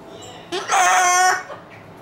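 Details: Umbrella cockatoo kept indoors, making a racket because it wants to play: one loud, harsh, sustained scream lasting under a second, preceded by a short rising squawk.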